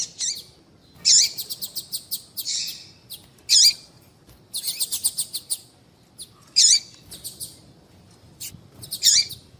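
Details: Female papa-capim (seedeater) call played to get males singing: loud high hooked chirps about every two to three seconds, each followed by a rapid rattle of repeated ticks.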